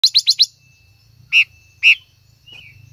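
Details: ;Female silver-eared mesia singing to stimulate a male: a quick run of four bright, high chirps, then after a pause two louder, well-spaced sharp notes, with a low hum underneath.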